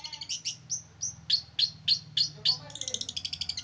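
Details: Male long-tailed shrike from Ngimbang, Lamongan, singing very actively: a fast run of high, sharp chirps and short whistled notes, then a rapid buzzy stutter at the end, with a faint low hum underneath.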